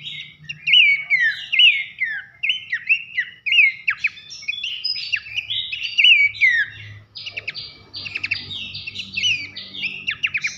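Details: Pelanduk semak (Horsfield's babbler), recorded as masteran training material for competition songbirds, in a loud whistled 'nembak nyiul' style: rapid repeated downslurred whistles, then harsher buzzy notes in the second half, over a faint low hum.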